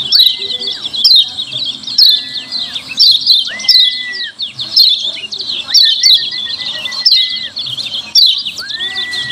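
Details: Lemon-bellied white-eye (kecial kuning) giving loud, noisy 'ciak ciak' calls used as a lure to make other white-eyes answer: dense, rapid, high chirps in overlapping bursts, with a long, steady, level whistled tone lasting about a second, recurring every two seconds.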